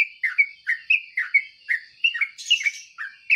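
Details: In the morning a yellow-vented bulbul repeats short, liquid chirps that slide downward, about three per second, broken once by a brief harsher high note, over a steady thin background whine.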